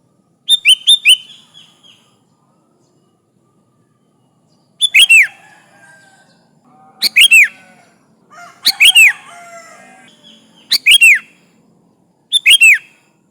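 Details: Sooty-headed bulbul singing energetically, calling rivals, its recording used as a lure: short bright bursts of three to five quick chirpy, bubbling notes, separated by pauses of one to three seconds, in an otherwise quiet setting.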